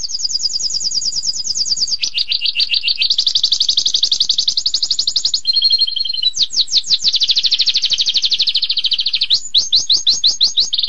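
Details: Canary singing a long, intense 'tembakan pedas' style song: rapid trilled phrases, buzzy rolls and a lower rattling segment, then fast descending whistled notes repeated in quick series.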